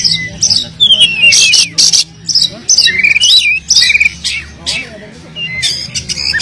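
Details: Oriental magpie-robin in full, persistent song packed with varied fill-in phrases, used to provoke silent magpie-robins into singing: sweet rising and falling whistles mixed with harsh, noisy scratchy bursts, delivered in rapid, irregular phrases with brief pauses.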